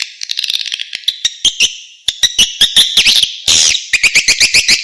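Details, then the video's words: Outdoor calling sound for attracting edible-nest swiftlets, made of rapid chirps and twittering notes, many overlapping, with sharp clicking pulses throughout and a brief harsh burst midway. "Suara panggil LUAR 001"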